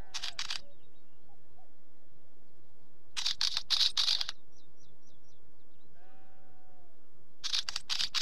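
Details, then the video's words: Wheatear giving three separate scratchy, crackling song bursts, each about a second long, with quiet gaps between them. Faint high chirps repeat in the background, along with a low drawn-out tone. "Wheatear song"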